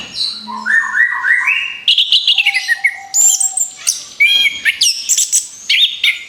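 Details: Orange-headed thrush song meant to lure other birds: stepped rising whistled notes open a lively series of sharp high phrases, clipped chips and swooping whistles in quick, irregular succession.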